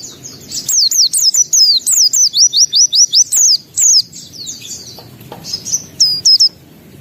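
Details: White-eye singing energetically with open beak, showing off its varied repertoire: rapid run of high, thin whistled notes sliding down, about two per second, then a pause and a burst of sharp chirps.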